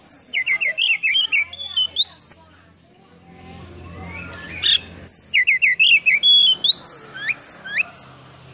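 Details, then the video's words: Energetic white-rumped shama song, loud varied whistles and rising slurred notes in quick succession, a short lull with faint low hum, then another rapid burst. "PANCINGAN KACER ISIAN FULL BUKA EKOR NGOBRA"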